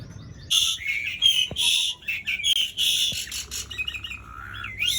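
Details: Asian pied starling singing to prompt quiet starlings: harsh, buzzy, squawking notes run together, followed by a softer warbling and a closing rising whistle.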